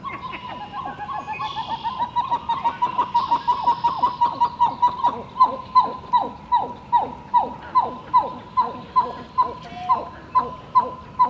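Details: Pied-billed grebe calling out to another bird during an early morning walk in Southern Ontario; a long series of hollow, downward-sliding notes, about two per second, swelling louder and spacing out toward the end.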